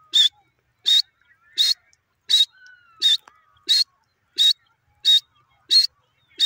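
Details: Grey francolin calling: loud, harsh, broadband notes repeated at a steady pace, about one every 0.7 seconds, with near silence between them.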